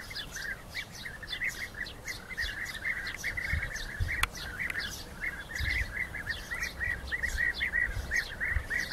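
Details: European bee-eaters during rival fights: a dense, steady chorus of rolling, burry calls overlapping throughout, with a sharp click near the middle and faint low rumble.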